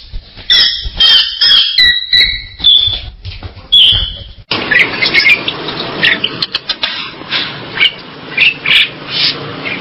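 Bali myna giving clear, high whistled notes and squeaky phrases, then an abrupt switch to harsh, scratchy chattering with bursts of rasping notes.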